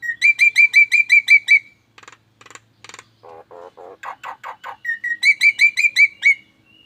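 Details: Nias hill myna giving strange, alarm-like sounds: runs of fast repeated whistled notes at a steady pitch, broken by short buzzy bursts and lower warbled notes, then the whistled run returns.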